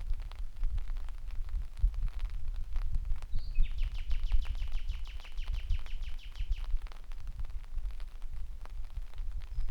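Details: Common nightingale in Dortmund-Aplerbeck, recorded in rain on 11 May 2021, sings a short high whistle, then a fast run of about fifteen identical notes over three seconds, against steady rain patter and low rumble.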